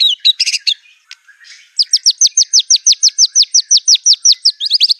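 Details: White-rumped shama with a fierce song full of imitated canary, cililin, cungkok and LB kapas notes: a brief harsh jumble, a short pause, then an even string of loud falling chirps about four per second.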